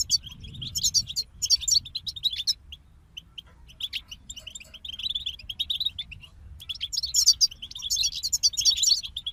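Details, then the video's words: Group of European goldfinches delivering fast tinkling, twittering song, with dense bursts of sharp high notes and softer sparse chirps in between over a low background hum. "King of Songbirds Goldfinch Group Motivations for Songbirds"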